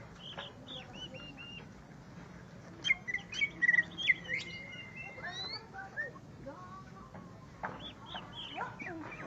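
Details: Greater green leafbird singing after finally meeting a rival to fight. Varied clear whistled notes and quick chirps, with a dense burst of sharp trills and slurred whistles mid-clip, then scattered upslurred notes over a low steady background hum.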